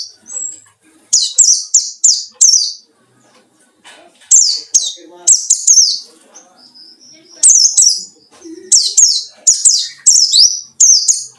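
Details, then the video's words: White-eye singing ngalas-style to provoke rivals: long series of rapid, shrill, downward-slurred chirps in groups of three to four, with brief pauses and occasional soft lower notes. "burung pleci ngalas cari lawan//ampuh buat pancingan"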